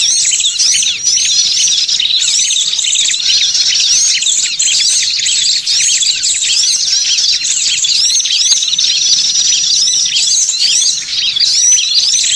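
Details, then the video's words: Lure recording of small birds meant to draw other birds in: a busy chorus of high, thin chirps, rapid twitters and short whistled notes overlapping without pause, staying evenly loud across the whole stretch. "Mp3 pikat Suara burung kecil"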